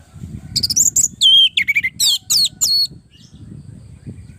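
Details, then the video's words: Orange-headed thrush song used for training other birds: a brisk sequence of bright whistles, slurred dips and short buzzy notes lasting about two seconds, above a steady low hum. "Suara burung Anis merah gacor masteran Anis pancingan suara burung Anis merah"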